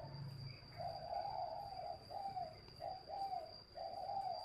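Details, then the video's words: Caged spotted dove from a breeder's aviary near Ba Vì, Hanoi, Vietnam, sings a run of low, smooth coo notes in quick succession over a hissy background with insect buzz and a steady high whine. "chim cu gáy hay"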